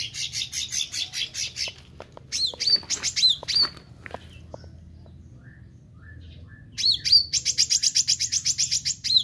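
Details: Meranti bird singing actively: bursts of fast, buzzy, rattling high notes, alternating with sharp whistled downslurs and scattered clicks, then a long dense trill of rapid repeated chips ending in a bright slurred whistle.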